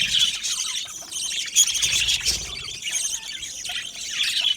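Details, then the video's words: Budgerigars, a colony of Australian parrots in an aviary, singing and chirping: dense overlapping high warbles, chirps and squawks from many birds at once, forming a continuous busy chatter with short louder bursts. "Budgies singing and Chirping Sounds"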